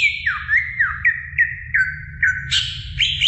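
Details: Greater green leafbird performing training song for other birds, a run of loud downslurred whistles repeated about every third of a second, ending in a higher harsher chattering burst, over a low hum.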